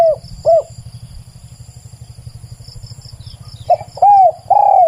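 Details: Spotted dove song with a clear decoy-quality recording: loud arched coos at the start, then a quiet stretch over a steady low engine-like rumble, then three more coos near the end, with a faint high insect buzz behind.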